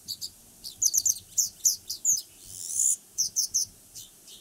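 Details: Japanese wagtail (Motacilla grandis), song.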